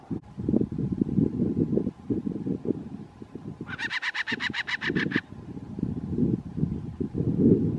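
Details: Adult black-chested buzzard-eagle calling on the road to Torres del Paine National Park, Magallanes, Chile: a short burst of about ten quick, evenly spaced harsh notes lasting under two seconds, over a steady low rumble of wind or engine noise.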